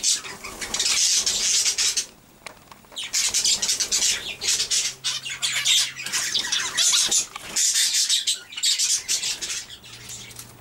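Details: Captive zebra finches (Taeniopygia guttata) in breeding cages chatter with busy, high, nasal calls in overlapping bursts.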